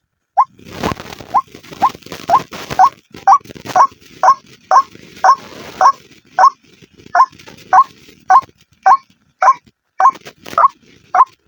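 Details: Used as a bird lure, a white-breasted waterhen gives about twenty short, rising croaks at a fairly steady pace, over a constant rough background hiss with a few harsh bursts near the start.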